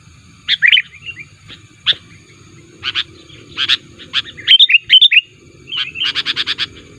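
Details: Sooty-headed bulbul calling actively to lure and challenge wild birds: scattered harsh chips, a few slurred whistled notes, then a quick run of about seven evenly spaced chirps at the end.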